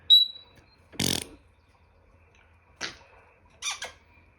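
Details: African grey parrot kept as a pet, mimicking noises indoors: a thin high whistle, a loud raspy burst like a fart or pop, then short squeaky chirps.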